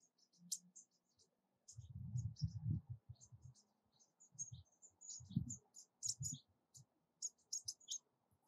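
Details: Bushtit (Psaltriparus minimus), a tiny social bird, giving contact calls while a male collects yarn for a nest: thin, very high chips and twittering notes in a scattered, irregular stream, over low thumping and rustling noise.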